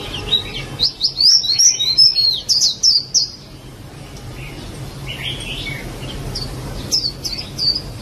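A white-eye gives a rapid burst of thin, high twittering for about three seconds, then softer scattered chips over a faint low hum.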